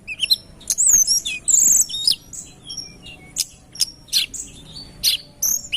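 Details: Snowy-browed flycatcher (tledekan gunung) song used as a bird-trapping lure: bright, high-pitched whistles, thin trills and sharp chirps in quick, uneven bursts, some notes sliding up or down, over faint low hum.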